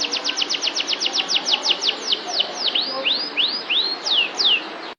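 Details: Canary of the Kalitan type singing energetically: a rapid series of about twenty sharp downslurred high notes, slowing and broadening into arched rising-falling whistles, over faint background hiss.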